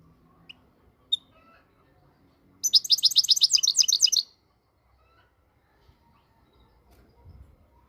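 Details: Moroccan European goldfinch giving a rapid, high twittering burst of about eight repeated notes over roughly a second and a half, preceded by a few faint isolated chirps, with a quiet background and a soft low rumble near the end.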